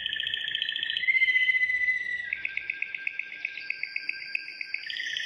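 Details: Belgian Waterslager canary in training song. A rich pulsed trill gives way to a long smooth whistle, then sharply ticking rolled notes about four per second, with a high thin whistle held above and a final fuller trill.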